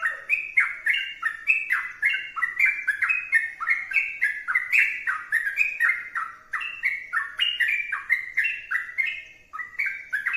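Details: A sooty-headed bulbul in full, sustained song delivers a long chain of rich, gurgling whistles. Notes rise and fall in quick steps, about four phrases a second, with no other sounds.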